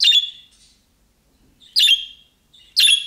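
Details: Budgerigar uttering the calling chirps young birds use, which prompt other budgerigars to reply: three harsh, scratchy squawks about a second apart, with quiet gaps.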